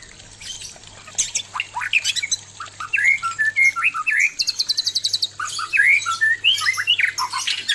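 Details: Male white-rumped shama faces an aggressive female, delivering a mix of harsh squawky bursts, sweet whistled slurs and a brief run of rapidly repeated high notes.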